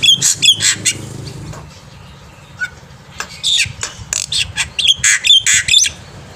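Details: Morning song of a black-winged myna, used as a tutor for young birds: scattered short, harsh, chattering notes with thin whistles, coming in two loose bursts around a quiet gap.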